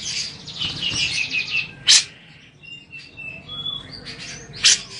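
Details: Grey-cheeked bulbul bathing, its voice meant to make other grey-cheeked bulbuls answer: a rapid, shrill chattering run of high notes opens, then two sharp broadband bursts like splashes, with scattered thin whistles between.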